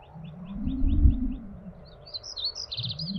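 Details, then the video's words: A Black-capped Vireo sings in managed scrubland at Shin Oaks observation deck near Austin, Texas, after about 8:30 a.m.: faint quick high chips, then a jumbled burst of harsh, varied high phrases, over heavy low wind rumble. "If you think it's hard to sneak up on a deer, try to get a look at one of these singing black-capped vireos."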